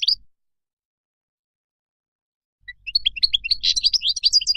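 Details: Wild goldfinch song for training young birds: after a short opening note and a long silence, a quick, busy burst of high, twittering and jingling notes builds to the end.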